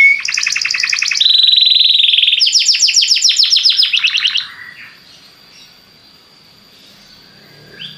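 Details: Belgian canary song for encouraging other canaries to sing: a chopped double-pitched trill, then a steady buzzy roll and a quick rattling series of falling notes, followed by near silence.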